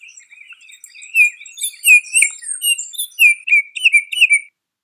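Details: Baltimore oriole call recorded at Riverwood: a string of whistled, slightly slurred notes that grow louder toward the end and stop abruptly. High twittering from other birds is heard in the first half.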